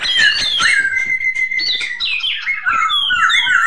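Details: Masked laughingthrush (poksay hongkong) giving loud, pure whistled notes, sliding down then holding a level tone, followed by quick high upward-sweeping phrases; sound is steady and strong throughout.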